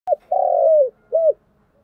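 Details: ['Spotted dove giving continuous thúc gù cooing: a short low coo, then a long even coo that slides slightly downward, then a brief rounded coo, all soft and mellow with a quiet background.']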